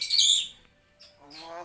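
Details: Common hill myna talking, imitating human words such as Assalamualaikum and Allahu akbar; a bright, hissy burst is followed by a short pause and then a lower, voice-like harmonic phrase.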